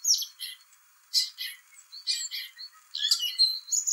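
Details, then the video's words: Song thrush in spring delivering its complicated song: loud, scratchy high phrases in bursts about a second apart, mixing buzzy notes with thin whistles. "Song thrush sings spring birdsong"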